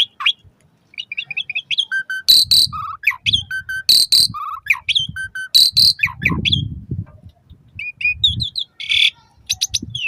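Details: Asian pied starling song played to encourage caged birds to sing, mornings and evenings: loud harsh rasping bursts mixed with whistled phrases and rapid chirped notes, with some low rustling underneath.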